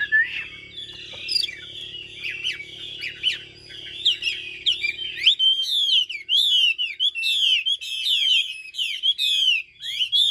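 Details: Caged Chinese hwamei delivering continuous loud, rich song: warbled whistles over a low hum at first, then sharp descending notes and repeated looping whistled phrases.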